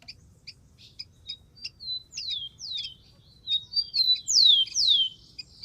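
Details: Rufous-collared sparrow in the wild, opening with spaced high chirps that give way to sweeping downslurred whistles, the loudest pair near the end, over faint low background noise.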